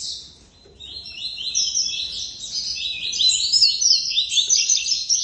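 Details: Captive coleiro (Double-collared Seedeater) giving a pure tuí-tuí song, singing alone without seeing a female; a loud, continuous run of high, quick, slurred whistled notes that grows stronger toward the end over a quiet background.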